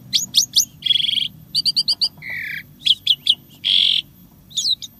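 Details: Asian pied starling in a 'gacor' song with 'isian tembakan' fill-in phrases and unique sound creations: rapid bright chirps, buzzy trills, quick repeated clicks and drawn-out rasping notes in fast, varied succession over a low background hum.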